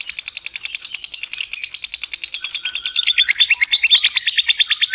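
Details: Lovebird ngekek panjang, a long continuous trill used to provoke other lovebirds; a fast, high, even rattle of pulses runs unbroken for the full five seconds, shifting slightly lower toward the end.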